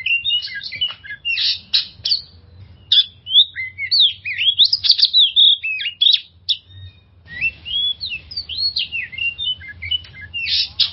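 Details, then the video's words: Oriental magpie-robin singing a lure song to bring stressed magpie-robins back into song: long rich medley of rapid whistles, chirps and buzzy trills, a brief pause midway, then a lively resumption. "suara pancingan burung kacer untuk mengatasi stress"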